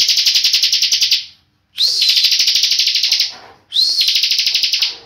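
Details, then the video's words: A tame bar-winged prinia in continuous full song gives bursts of rapid, high, buzzy notes, about ten per second, in phrases over a second long, separated by brief pauses. "CIBLEK NGEBREN"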